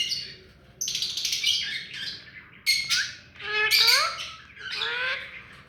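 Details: Hand-tamed rose-ringed parakeet making a varied run of raspy screeches and buzzy, rising notes with harmonics. Bursts come irregularly after a quiet start.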